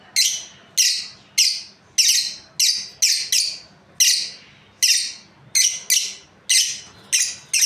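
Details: Chirping from a breeding pair of lovebirds: a steady run of about fourteen sharp, high, raspy chirps, roughly one every half second, some doubled, with quiet background.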